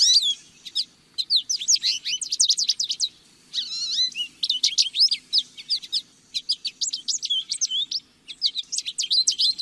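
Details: Lesser goldfinch singing a long run of high, twittering phrases of quick rising and falling whistles and sharp chips, broken by brief pauses, with a soft low background hum.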